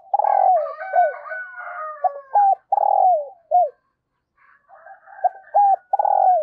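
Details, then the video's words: Decoy spotted dove cooing to call new wild doves, its urging and calling coos: repeated low hollow coos in clusters, some with short downward hooks, overlapped by fainter higher drawn-out whistled tones, with a brief pause midway. "Tiếng Chim Cu Mồi THÚC và GÁY GỌI Bổi Mới, Mở Là Gáy"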